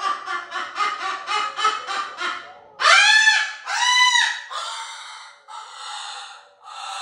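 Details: Pet cockatoo giving a playful indoor "roar": a fast run of about eight harsh, rasping squawks, then two loud ringing screeches with arching tones, followed by shorter scratchy cries.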